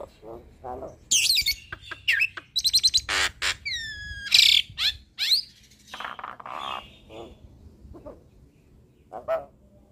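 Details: Mimicry-filled song of a lively hybrid starling serving as a tutor for other songbirds, with raspy squawks, a run of sharp clicks, and a series of downslurred whistles.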